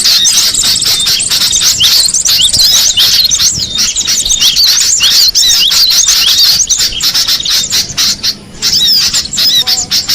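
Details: Wild cinereous tit: rapid, overlapping high chirps and quick rising and falling whistles run almost without a break. The sound thins out briefly near the end, then the chattering resumes.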